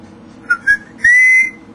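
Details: Pet talking parrot at home, lively and communicating with its owner, who mostly chats with it at night; three short clear whistled notes, the last a long steady rising-then-level whistle, between the owner's encouraging speech.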